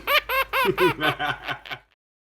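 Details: Pet Quaker parrot, described as happy and talking, giving a short laugh-like burst: about seven rhythmic, nasal, harmonic notes, each fading lower and softer over under two seconds before silence.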